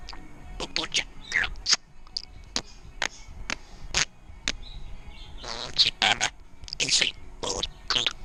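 A female budgerigar chatters in quick, scratchy mimicked words mixed with clicks and sharp chirps.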